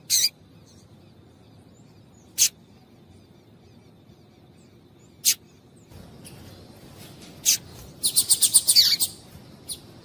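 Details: Female double-collared seedeater calls meant to excite a male into song: isolated high, clicky chips spaced a few seconds apart, then a quick burst of several chips, with faint background hiss rising partway through.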